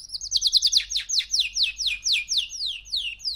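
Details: Three-month-old male canary gives a fast opening trill, then evenly spaced downslurred whistles that gradually slow, clear and high throughout.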